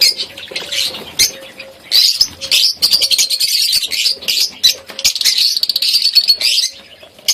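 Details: A colony of budgies in Pakistan: many birds chattering at once, a dense continuous warble of scratchy chirps and squawks with loud bursts throughout.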